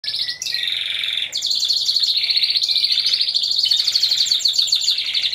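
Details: Timbrado Español canaries, a team of four, singing at a November 2015 canary song competition and exhibition: continuous high trills, bright rolling runs shifting between pitches, with rapid repeated notes throughout and no pauses.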